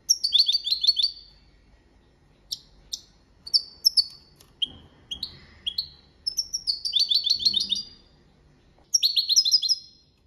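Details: A goldfinch sings in the copia Malaga style as a training song. Dense tinkling trills and twangy, buzzy notes come in rapid bursts, then short pauses, then quick repeated phrases.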